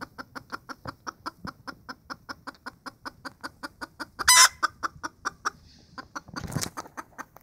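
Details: Wild hen, a female red junglefowl, clucking in a fast, even run of short sharp notes, about four per second. A loud harsh burst breaks in near the middle, followed by a brief pause before the clucks resume.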